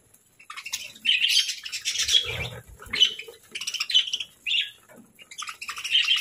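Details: Several pet parakeets chirp during morning feeding, giving quick groups of shrill, scratchy twitters separated by brief pauses, with a dull thump near two seconds.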